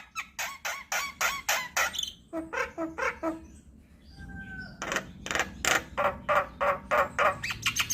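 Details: Javan myna singing as a training recording for myna species: rapid harsh chattering notes, a short run of lower nasal calls, two thin falling whistles, then more fast rasping chatter.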